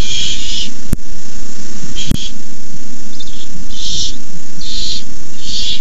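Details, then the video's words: Young Barn owls in the nest at night, 18 May 2015 at 9:57 pm, while an adult brings a rabbit; repeated rasping hisses in uneven bursts, broken by two sharp clicks, over constant low hum. "Owlets hiss."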